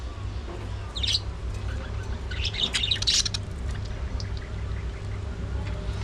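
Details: Budgies at early morning feeding time give short clusters of bright chirps around one second and again near three seconds, over a steady low hum.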